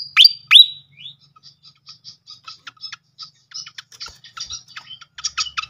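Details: Srikatan kipas (fantail flycatcher) lure song used to prompt singing: two loud sweeping notes, then a long run of short high chips and clicks at about three per second.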